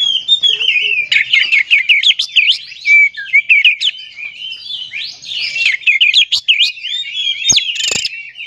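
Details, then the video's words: Continuous, rich song of an oriental magpie-robin, used to provoke other magpie-robins into singing: dense high warbles and looping whistles, with a few sharp clicks near the end. "PANCINGAN KACER TERAMPUH DIDUNIA"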